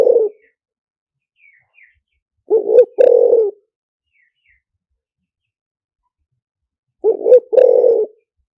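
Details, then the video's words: Low throaty coos of a spotted dove used as a trapping lure, lìw tan style; paired notes, short then long and buzzy, recur every four to five seconds, with a few faint chirps in the background. "เสียงต่อนกเขาใหญ่หมานๆ, เสียงนกเขาใหญ่ ต่อเข้าเร็ว เสียงหลิ่วตัน"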